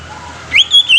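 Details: Greater green leafbird producing a brief phrase of three high whistled notes: a rising slur, a level bright tone and a final short whistle, over soft background hum.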